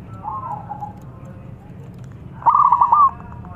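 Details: Local zebra dove with a big voice, a keen singer used to spark song in other doves: a soft, fading coo phrase, a pause, then a louder burst of rapid, stuttering coos over low hum.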